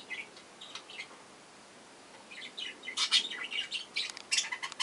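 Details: Young budgerigars in a breeding box give scratchy, high chirps and short rasping notes in irregular bursts, busier toward the end, over a faint background hiss.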